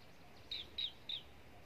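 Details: Caged common iora at Long Thành, Đồng Nai, Vietnam, giving three short, high, slightly falling whistled notes about a third of a second apart, over a faint steady background hiss.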